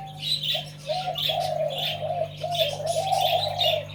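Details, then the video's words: Zebra dove song in pair style: a few clipped coos roll into a long, continuous, wavering cooing trill. Scattered high chirps from other birds overlay it against a constant low hum. "นกเขาชวาเสียง คู่"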